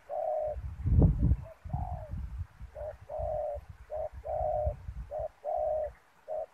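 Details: Spotted dove decoy at a snare trap on the ground, giving steady low coos in short and longer bursts, mixed with heavy low rumbling and a loud thump near the start.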